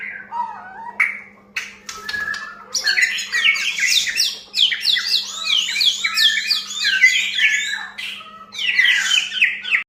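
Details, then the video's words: White-rumped shama song used as a lure to get another bird singing: a long, rapid series of repeated, downward-slurred chattering notes, varied whistles at the start and end, over a steady low electrical hum. "Pancingan murai batu agar gacor"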